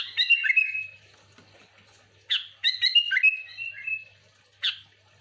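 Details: Lively lure song of a sooty-headed bulbul: short bursts of liquid, slurred whistled notes with sharp chirps at the start of each, three phrases separated by brief pauses.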